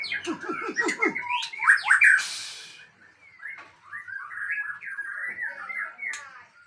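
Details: White-rumped shama from Aceh: a rapid series of descending notes, a loud harsh burst, then softer warbled whistles after a pause.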